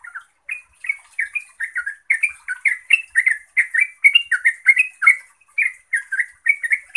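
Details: Yellow-vented bulbul (Pycnonotus goiavier) in continuous rapid song, meant to prompt other bulbuls to answer: a fast, bubbly run of short liquid chirps rising and falling without pause over a faint high hiss.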